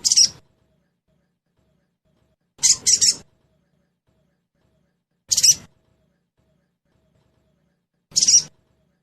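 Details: Crested jay (trotol type) lure recording meant to prompt a bird to sing fast: four loud, scratchy, chattering bursts spaced two to three seconds apart, the second one split into a quick triple rasp.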